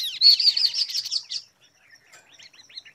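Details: Chestnut-capped babbler, known locally as kaso kaso, tepus gelagah or kidangan, song used as a lure to make other birds answer: a dense, high, chattering trill lasting over a second, then faint scattered chirps.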